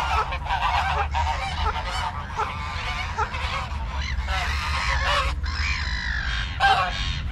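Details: Farm geese honking steadily, many short nasal blasts overlapping in a noisy flock chorus over a low background rumble, with a louder burst near the end.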